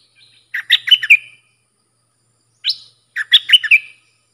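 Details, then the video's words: Sooty-headed bulbul song in the sap dok, boen and rik styles, for teaching young birds and luring aggressive wild ones. Two loud, cheerful phrases of four or five bubbly, whistled notes, about two seconds apart. "เสียงนกดอกแตงEp.122สำหรับหัดลูกป้อน/ลูกเสอ มีครบในครบในคลิปเดียว สับดอก-เบิ้ล-ริก เพลงเพราะน่าฟัง"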